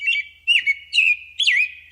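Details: American robin singing in North America at the start of spring, a territorial song distinct from its calls: short, clear, warbled phrases that rise and fall, about four phrases in two seconds, over a faint low hum.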